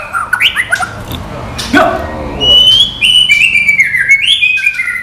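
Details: White-rumped shama song, non-bubbling material: short chirps, then a noisy burst, then a run of clear high whistled notes that step downward in a smooth sequence.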